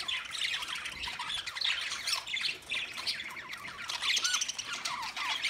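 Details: Budgerigars, Australian parrots, 13 March 2024, keep up steady warbling chatter of short chirps and rising and falling whistled notes, with many birds calling over one another.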